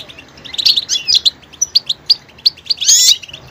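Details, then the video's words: Goldfinch singing a lively, varied song: bright twittering notes and short buzzy trills, with a dense rasping burst near the end over a quiet background. "motivational ringtones that will take you on a journey with goldfinch"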